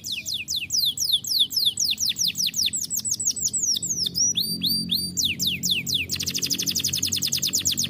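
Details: Vigorous rolling canary song made of quick repeated descending high notes, shifting into different trill types and ending with a very fast, even buzzing roll.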